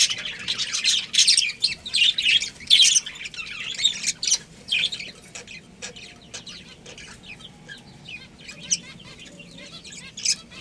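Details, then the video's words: A budgerigar breeding pair chatters loudly in scratchy, warbling bursts for about five seconds, then goes quieter, leaving scattered soft clicks and occasional short chirps. "Cute Budgies Chirping Sounds"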